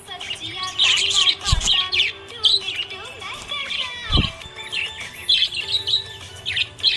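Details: Budgerigar chirping happily, dense twittering and warbled high notes with short pauses, two low thumps, and background music.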